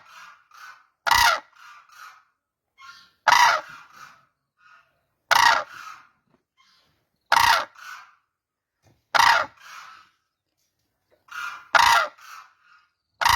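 Loud, harsh trumpeting blasts from a crane about every two seconds, with softer honking notes in between.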